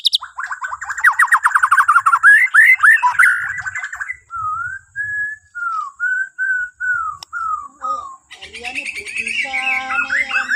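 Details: Morning song of a white-rumped shama from Borneo, meant to prompt other birds to sing: fast warbled chatter, then a slow chain of clear fluting whistles, closing with a busy rising trill.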